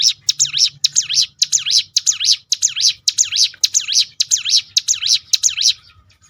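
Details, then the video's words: Ciblek gunung prinia pouring out a 'tembakan' roll to provoke other birds' song: a continuous, evenly paced chain of piercing, zigzagging notes, about two each second, for six seconds. "roll tembakan ciblek gunung memancing bunyi burung lain."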